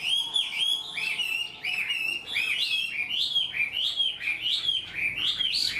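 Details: Untrained Chinese hwamei singing readily with a full, well-formed song like a tame bird: a long flowing run of looping whistled phrases, each note bending up and down, delivered almost without pause in a quiet room.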